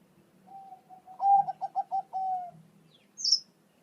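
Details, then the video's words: Bangkok-type zebra dove singing, a recording meant to prompt pet zebra doves to answer: a soft opening coo, then a rolling run of quick pulsed notes ending in a drawn-out steady coo; a brief high chirp from another bird follows. "Suara Perkutut Bangkok"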